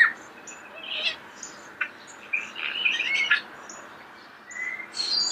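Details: Starling singing in nature, recorded close: scattered short chirps, buzzy notes and high whistles with pauses between phrases, rising into a busier burst of mixed notes midway.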